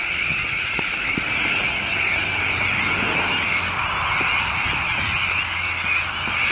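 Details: Sandwich tern breeding colony with chicks at a new shell island in De Putten, Netherlands: a loud, steady mass of harsh, shrill calls with a few sharp clicks.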